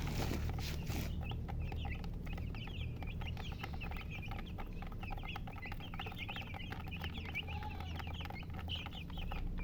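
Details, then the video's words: Baby chickens peeping rapidly, high down-slurred chirps overlapping from several birds, after a short loud noise at the start, with a continuous low rumble beneath. "MURGI Baby "Chicks Chirping" Sound"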